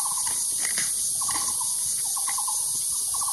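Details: Taiwan barbet giving repeated quick runs of hollow, knocking notes, about four bursts in quick succession, with a dense high-pitched insect chorus throughout and some soft background clatter.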